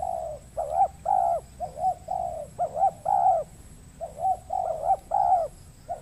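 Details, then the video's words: Wild spotted dove cooing toward a trapping decoy in the Riau Islands, Indonesia, on peat land, vocal but hesitant to fight after noticing the camera. Mellow coos in short clusters repeat roughly every second, with brief pauses between groups. "PIKAT BURUNG TEKUKUR KETEMU BL PENGUKU TAPI KURANG AGRESIF"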